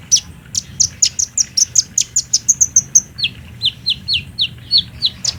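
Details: Sunbird song for luring a captive bird into singing in daytime, recorded on a Samsung J5: a regular series of about twenty-five high downslurred chirps, each roughly a quarter second apart, stepping lower partway through.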